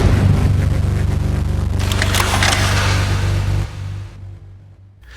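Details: Booming, low-pitched music with heavy thuds and a burst of noisy effects that fades out near the end; no animal voice is heard.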